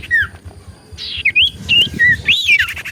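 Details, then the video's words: Common iora in full voice, played to provoke replies: short swooping whistles and sliding notes, broken by a harsh buzzy rasp, over low rumbling background noise. "Burung Cipoh Gacor Pancingan Paling Ampuh Bikin Burung Cipoh 5 Detik Langsung Nyaut"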